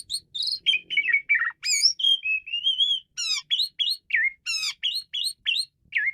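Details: Asian pied starling singing intensely in a fast, continuous run of varied whistles, slurred rising and falling notes, buzzy chirps and squeaky trills, closely spaced, with almost no background noise.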